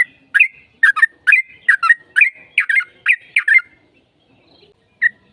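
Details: Sooty-headed bulbul singing in a lure recording meant to draw an answer: lively bubbly phrases, roughly a dozen chirps over three and a half seconds, then a pause and two more notes.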